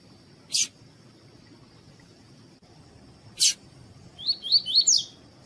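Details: A female double-collared seedeater (coleiro tui-tui) calling, used to stimulate males, gives four quick, high, sliding notes near the end, over a steady thin whine and two sharp clicks.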